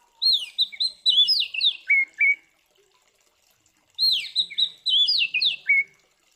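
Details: Oriental magpie-robin singing aggressively, in the style used to goad other magpie-robins into fighting: two rich whistled phrases about four seconds apart, each descending in sweeping slurs and closing with two level notes.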